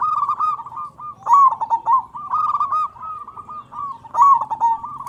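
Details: Loud, persistent local zebra dove recorded as a lure: dense, rapid cooing holds one pitch throughout, with louder accented bursts near the start and end.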